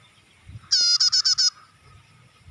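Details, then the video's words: Bar-winged prinia lure recording used to attract birds: a single quick burst of five loud, buzzy, harmonic-rich notes lasting under a second, with a quiet background otherwise. "Suara Pikat Burung Prenjak"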